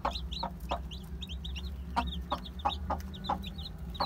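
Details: One-day-old chicks of Aseel, Heera, Java and Muska breeds chirp continuously in high, bent peeps from many birds at once, punctuated by sharp taps, with a low hum beneath.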